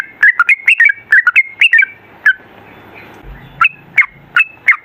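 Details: Trucukan, the sooty-headed bulbul, delivering long 'ropel' song for use as a lure: a tight burst of chuckling, liquid whistles, then slower, spaced single notes after a pause.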